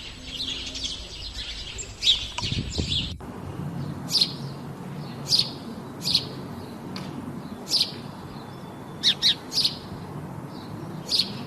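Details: House sparrows singing: after a few seconds of louder mixed chirping and a brief rumble, single sharp high chirps come every second or so over a low steady background hum.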